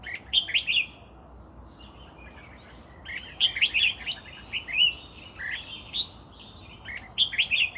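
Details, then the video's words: Red-whiskered bulbul singing actively after being lured in: short, bright, warbled phrases in bursts spaced about three seconds apart, with quiet gaps between them and a steady high hiss behind. "MERBAH JAMBUL GACOR"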